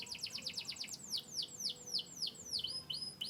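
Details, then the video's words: Canary of Yorkshire descent, Turkey and US lines: a quick trill of short chirps followed by a slower series of falling whistled slurs about every quarter second, ending in short thin high notes. "chirping birds.Canary bird."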